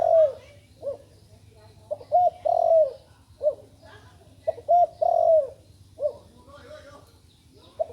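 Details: Spotted dove, young and still learning its call, utters scattered short coos and two fuller phrases. Each phrase builds from brief notes to a long, wavering, downward coo.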